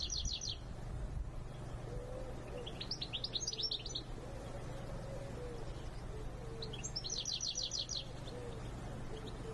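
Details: European goldfinch song: bright, tinkling bursts of rapid high twitters in three short phrases, over a steady low hum and faint soft cooing.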